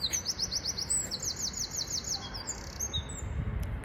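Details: Eurasian wren singing very loudly at half past midnight at Potter's Fields near Tower Bridge, London: a rapid high trill of repeated sharp notes, then scattered chips, over steady low city rumble.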